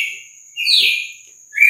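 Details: A captive red-cowled cardinal sings at dawn among rival males in a heated song contest: a short, rich, slurred whistled phrase, another phrase beginning at the end, over a steady thin high whine.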